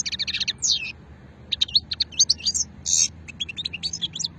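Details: Old-lineage goldfinch song recorded at Hammam Guergour, Sétif, in 2020: a rapid stuttering series of high twitters, then liquid slurred notes and a brief harsh buzz, phrases pouring out quickly.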